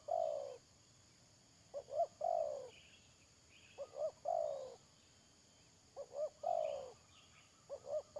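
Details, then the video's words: Decoy spotted dove for bird trapping, 31 May 2022, gives a rhythmic series of phrases, two quick coos then a sliding croo, while small birds chirp faintly in the background. "Pikat Tekukur"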